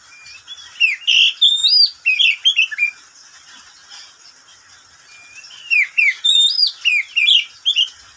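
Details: Pet oriental magpie-robin kept in a cage, singing at midday: a varied run of clear whistles, slurred upward and downward notes and short chirps for two seconds, quiet gap, then a similar phrase repeated.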